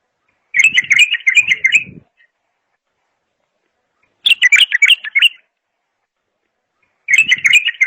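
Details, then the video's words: Bulbul repeating loud, fast, chattering song bursts of about one and a half seconds every few seconds, with faint low rustling under the first phrase. "اجمل صوت بلبل"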